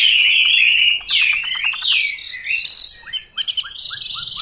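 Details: Chinese hwamei singing 'mộc dở' style: smooth wavering whistles sliding up and down, then a series of short sharp downslurred notes repeated about four times a second.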